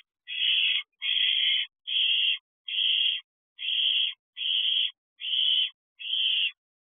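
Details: Owlets at a nest box on a June night as their mother delivers food: evenly spaced raspy hissing screeches, eight in about seven seconds, each roughly half a second long, with no other sounds.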